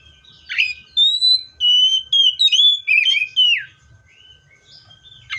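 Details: Seychelles magpie-robin: one continuous phrase of about three seconds made of quickly linked whistled notes, some steady and some curving, followed by near silence.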